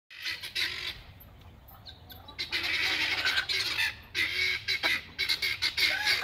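A Sebright rooster gives harsh, raspy squawks in irregular bursts, with one longer strained phrase in the middle, all fairly high-pitched.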